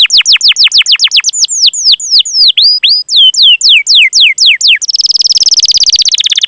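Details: Gacor canary giving long cuit-cuit chirping to prompt other canaries to sing. It starts with a long run of loud, downward-slurred chirps repeated about three per second, then breaks into a dense, fast rolling trill.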